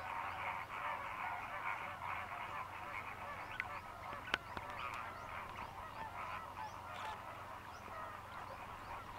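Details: Flock of over 6000 Greater flamingos fishing in the lagoons of Mannar Island, Sri Lanka, during the December–March dry season: thick, ceaseless honking chatter, with an isolated click near the middle.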